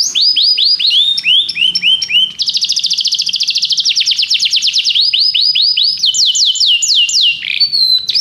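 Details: Canary singing a continuous, loud song: repeated high rising-falling whistled phrases, a fast buzzy trill of rapid notes in the middle, then further series of swooping whistles.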